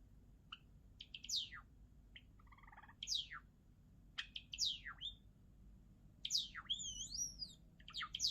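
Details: Java sparrow song: dry clicking notes mixed with sharply descending whistled sweeps, a brief low buzzy note near the middle, and a wavering warbled phrase toward the end, in a quiet setting.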